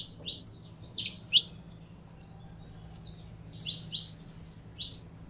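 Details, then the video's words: Saffron finch, a kept bird being warmed up to sing, giving sparse, high, sharp chirped notes in small clusters separated by pauses, with a faint low hum underneath. "Canário da Terra Esquentando em 3 2 1!!!"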